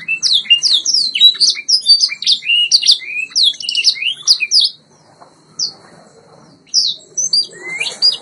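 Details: Training recording of a white Yorkshire canary, a breed from Bradford, England: dense bright twittering of rising and falling whistled notes for nearly five seconds, a near-silent pause, then scattered sweeping notes returning.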